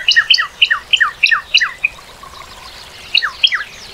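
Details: Northern cardinal whistling a quick series of about seven bright down-slurred notes, a short gap, then two more of the same falling whistles.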